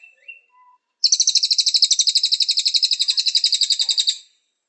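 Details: Master recording of Cililin song for training kept songbirds; after a few soft chips, a sustained high trill of fast repeated buzzy notes runs about three seconds before fading out.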